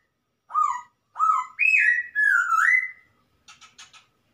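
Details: Wild masked laughingthrush from the forest singing loud, clear whistled phrases: two short upslurred notes, then longer sliding whistles that rise and fall, ending with a few quick rough chattering notes.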